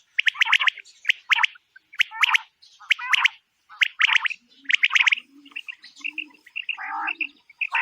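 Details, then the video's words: A quail heard in a quail-hunting setting gives quick bursts of three or four dry, ticking notes about once a second, later turning into softer, clipped chirps. "بٹیر کا شکار اور زبردست آواز"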